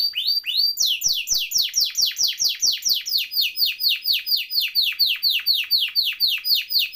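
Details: Canary in full song, kept as a tutor or prompting singer for canaries that stopped singing, delivering a steady series of loud downward-slurred notes, roughly two each second, evenly repeated throughout.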